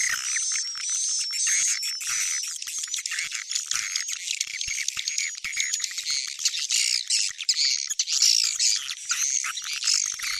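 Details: Swiftlet lure recording named Tarik Onar, for drawing swiftlets to farmers: a dense chorus of rasping, squawky twitters with rattling clicks, continuous and slightly uneven throughout, and a high whine beneath.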